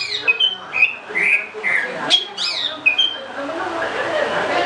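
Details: Greater green leafbird song made of short, bright whistled notes and slurred chirps given at an uneven pace, with a sharp upward flick in the middle; a steady hiss builds up toward the end.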